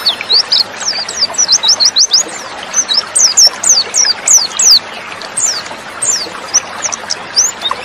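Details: Female white-eye calling, used to make males answer quickly: brisk series of high, thin downslurred chirps, some in rapid strings, with brief gaps between bursts.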